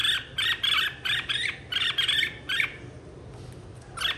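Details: Red-whiskered bulbul singing in a 2023 singing contest, a bird stimulated to sing and calling its flock: bright, harmonic chattering notes repeated in quick bursts, then a pause and one final burst.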